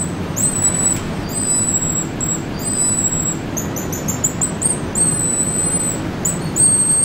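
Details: A nesting pair of pigeon guillemots at Sea Lion Caves, Oregon, in nesting season give thin, very high, wheezy whistles, some held and others in quick sputtering runs, over a steady low rumble of surf or wind.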